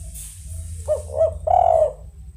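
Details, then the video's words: Spotted dove giving a soft, mellow cooing phrase: two short rising coos followed by a longer drawn-out coo, with a low steady hum underneath. "Suara TEKUKUR Suaranya Sangat MERDU"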